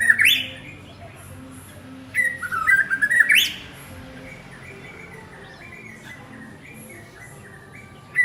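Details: White-rumped shama, a male, calling his partner: two short bursts of whistled notes near the start and middle, each ending in a sharp rising upsweep, with a brief note at the very end and a quiet gap between.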